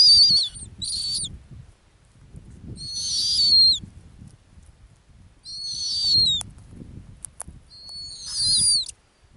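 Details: Snowy owl, a female nesting on the Arctic ground, gives shrill downslurred whistled screeches. There are about four harmonic-rich bursts, each ending in a falling slur, with faint low rumbling between them.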